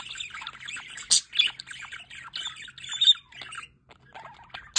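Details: Budgerigars, including young birds, in an aviary beside a solar water fountain; continuous busy chattering warble of mixed squeaky notes with several loud harsh squawks, over steady running-water noise and a low hum.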